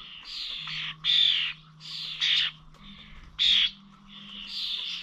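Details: Starlings recorded on 21 November at bird feeders in Corby old village: rasping, wheezy chatter and loud squawky bursts in quick, uneven succession, over a steady low background hum.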